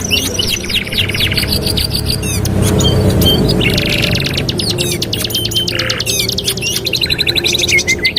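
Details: Canary singing as a training master, a busy mix of fast chirped sweeps, buzzy rattling rolls and bright trills that change every second or two, with a loud low-pitched background rumble.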